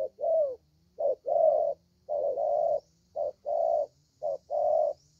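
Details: Spotted dove, a young lure bird noted for its good voice, giving mellow cooing phrases: a brief note followed by a longer, slightly falling coo, repeated about once a second over a soft hum.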